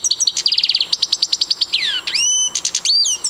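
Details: Siberian goldfinch singing a rapid run of evenly spaced twittering notes for nearly two seconds, then a long descending whistle and twisting upslurred notes, ending in more quick chirps.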